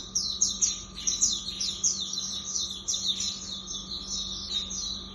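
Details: Lemon-bellied white-eye (auriventer) singing a continuous, fast run of high, sharp chirps and slurred trills, busy and unbroken throughout, over a faint constant hum.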